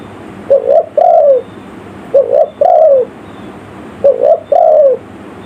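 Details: Village-style spotted dove call used as a lure for wild forest birds: three phrases, each a quick doubled coo leading into a drawn-out descending coo, evenly spaced with a faint hiss behind.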